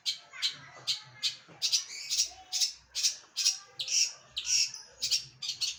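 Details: A trained long-tailed shrike sings full 'gacoran' song: loud, harsh, high notes repeated about twice a second, some bursts doubled, with brief softer twitters between.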